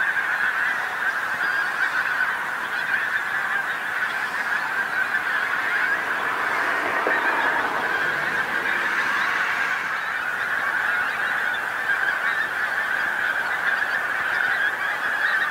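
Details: Many Pink-footed Geese landing and gathering on a field near the North Norfolk coast as the sun sets, their massed honking calls forming a constant, even clamour throughout, rising slightly in intensity near the end.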